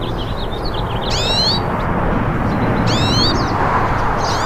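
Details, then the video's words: Several wild hooded siskins singing: a few soft chirps, then sharp upward-sweeping whistled notes about every two seconds over a steady hiss of background noise. "VÁRIAS PINTASSILGO CANTANDO NA NATUREZA"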